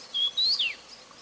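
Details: Grey-chinned minivet recorded on 3 March 2023 at Tengzhi: a thin, high whistled call of a level note, then a slightly rising note that swoops sharply downward, lasting about half a second in quiet surroundings.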